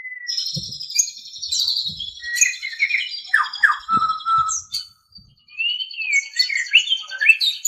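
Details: White-rumped shama singing for a training recording for caged birds: long sustained high whistles mixed with slurred notes and chattering phrases, with a few soft low thumps and a brief silence before the song resumes.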